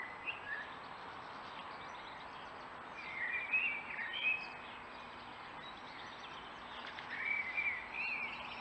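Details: Agitated Eurasian blue tit on 12 April 2019, clearly disliking being filmed, gives scattered thin chirping notes in two loose bursts several seconds apart against a constant noisy background.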